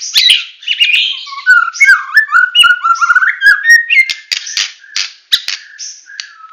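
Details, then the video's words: A Medan-type white-rumped shama in full tembakan song, with a mellow run of descending and rising whistles followed by a string of harsh, buzzy, high bursts and clicks at a fast pace. "Murai Batu Medan Full Tembakan"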